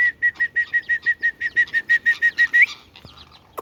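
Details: Talking Indian ringneck parakeet repeats a clipped, whistled note on a steady pitch around three times a second, ending on a brief upward squeak. A soft thump and rustle follow.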